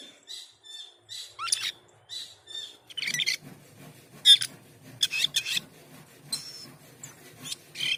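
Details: Asian pied starling singing more softly, with scratchy chattering phrases, short whistles and brief harsh bursts, accompanied by a low rumbling background hum.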